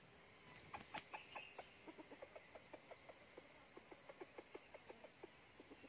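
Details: Red junglefowl at a decoy trap set out of season for wild birds: a run of soft, quick clucks, roughly six to seven a second, fairly faint against a steady high insect drone.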